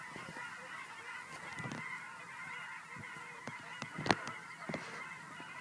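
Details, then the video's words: Geese returning home to Fern Ridge, recorded March 4, 2012 on a silent walk: a continuous, massed wash of faraway honks, with scattered crisp clicks and one louder snap near the end. "The geese come home to Fern Ridge"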